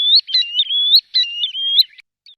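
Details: Green sandpiper (Tringa ochropus), call.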